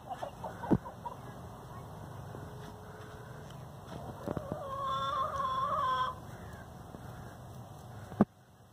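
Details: Hen from a free-ranging backyard flock complaining with a loud, drawn-out harmonic wail in the middle, framed by quiet background hum and a sharp knock before and after.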